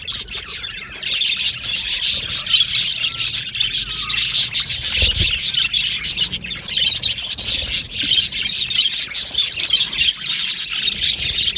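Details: Dense, unbroken chatter of an Australian budgie colony in an aviary, many birds twittering at once in rapid high chirps with a faint low thump midway.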